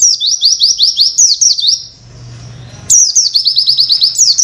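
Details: Oriental white-eye singing a masteran tutor song of rapid 'witwit' material for other birds to learn: fast runs of high, thin notes, each sweeping down, about six per second, broken by a silent pause with low hum.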